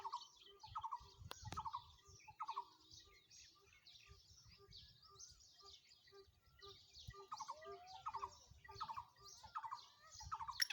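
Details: Black francolin recorded in Sindh, Pakistan: quiet, harsh groups of quick notes recur at irregular intervals, with a steady low ticking, chirps from other birds and faint background noise.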